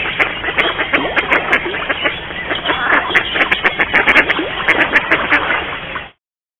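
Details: Courting Mallards in a garden in Mikorzyn give a continuous medley of rasping quacks and chattering notes from many birds. The calling stays loud and crowded for six seconds, then stops abruptly.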